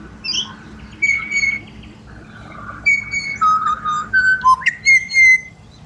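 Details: Pied butcherbirds in Australia whistle a run of clear, sustained notes stepping between pitches, ending in a rising, then level, ringing phrase, part of their serenade.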